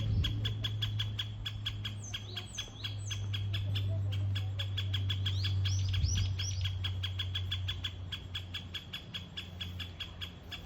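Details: Hokkaido great spotted woodpecker (Ezo form) producing a long, fast run of crisp, clicking notes, several per second, with brief higher whistled phrases from other birds and a steady low-pitched drone behind.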